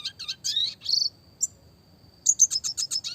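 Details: Classic red siskin song, clear and lively, roll tembak variation: buzzy rising phrases, a thin sustained tone during a brief lull, then a quick series of clipped bright notes.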